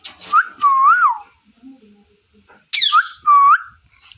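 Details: Ring-necked pet parrot whistling loud, wavering, up-and-down notes, a long warbled phrase followed by a pause, then a harsh squawk and two more wavy whistles, in a quiet room.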